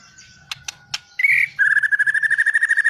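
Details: White-rumped shama singing: a few dry clicks, a short buzzy note, then a steady rapid pulsed trill held on one mid-high pitch, about fourteen pulses per second.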